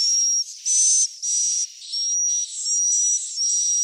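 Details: Swiftlet chick calls used to attract swiftlets: buzzy, high bursts with a thin whistled tone through them, repeated roughly every half second with short gaps, steady and electronic-sounding.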